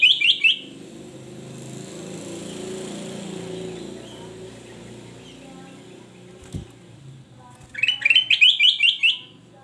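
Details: Male kutilang emas giving short bursts of rapid, clear whistled notes at the start and again near the end, separated by a steady low engine-like hum and a single sharp knock.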